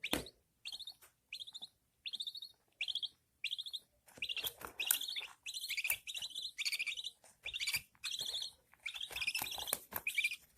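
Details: Newborn budgerigar chicks with their mother, who feeds them. Short rising harmonic chirps repeat about every half second, then turn denser and overlapping as several chicks call together.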